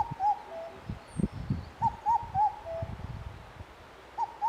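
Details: Indian cuckoo calling on 3 June 2021: repeated four-note mellow whistled phrases, rounded and hooting, with a lower final note, given every two seconds or so amid low thumping and rustling noises.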